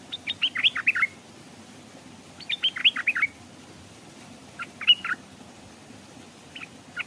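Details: Decoy Stripe-throated bulbul in a cage by a stream, drawing wild birds that hesitate to come down; fast runs of bubbly, descending chirps, followed by shorter and softer chirp groups.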